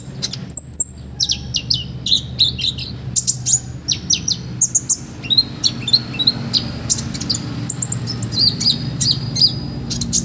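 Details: Olive-backed sunbird song used as a master recording for training other birds: fast, high, thin notes with sharp sweeping whistles and ticks, varied and tumbling continuously, over a steady low hum.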